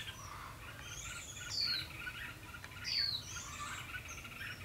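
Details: Caged red-whiskered bulbul acting as a trap lure on 12 February 2016, giving its fighting song to attract rival birds: two clear, high, down-slurred whistles about a second and a half apart over softer chattering notes.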